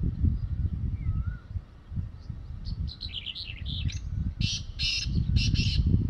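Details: Young, active wild black francolin calling in the evening from a mud mound: scratchy rising notes, then three loud rasping bursts near the end, all over constant low background rumble.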